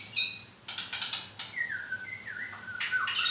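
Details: Shama in moult giving harsh rasping notes followed by a clear whistle that wavers down and up, then slides lower, ending in a loud rising burst.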